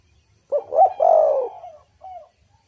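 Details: One spotted dove phrase from a recording for luring wild doves to call: a short rising note, a quick second coo and a long, slightly falling, hoarse coo, followed by a soft brief coo after a pause.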